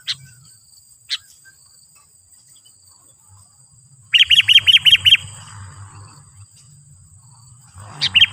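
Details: Sooty-headed bulbul, a loud calling bird used to provoke wild bulbuls into answering and approaching: a quick run of six clipped, bright chirps mid-clip, with isolated single notes before and after over low rumbling background.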